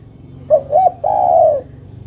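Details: Single call of a female spotted dove summoning a male: two short soft coos run straight into one longer, smooth, slightly falling coo.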